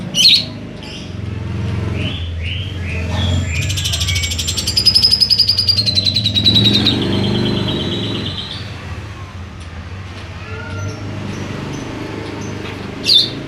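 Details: Grey-cheeked bulbul in lively song filled with mimicked sawing sounds and lovebird calls: a long, harsh, rapidly pulsed buzzing phrase, with scattered sharp chirps before and after, over a steady low hum.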